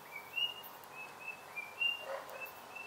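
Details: White-browed robin-chat (Heuglin's robin, Cossypha heuglini) singing thin, clear whistled notes, short level or slightly rising, about twice a second, quiet outdoor background, in Mpumalanga near Kruger National Park, South Africa.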